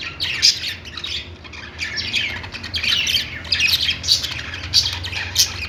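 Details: Budgerigars in a pet store giving a busy chorus of overlapping squawks and chirps from several birds at once. Constant chatter with a steady background hum.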